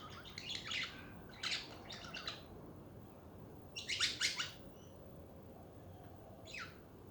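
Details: Chattering budgies give clustered bursts of rapid, scratchy warbling chirps, then a final short rising chirp, with a faint hum underneath.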